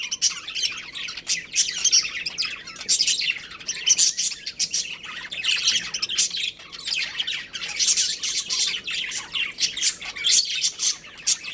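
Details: Continuous warbling chatter of pet budgerigars from a breeding pair, high raspy chirps blending into a dense unbroken stream with louder squawky peaks.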